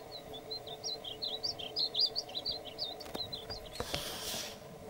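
A male painted bunting sings a fast, sweet, high warble of jumbled notes for over three seconds, ending with a brief rush of hiss and a low steady hum.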